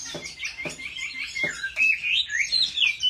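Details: Chinese hwamei singing competitively while trained at home: a few sharp clicks open into a bright, twisting sequence of high whistled slurs that rise and fall quickly.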